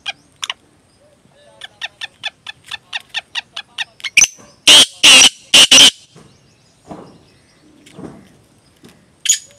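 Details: Black francolin, the sindhi or desi teetar, first ticking in a quick series of short dry clicks, then bursting into four loud harsh rasping notes, with a few scattered softer sounds after.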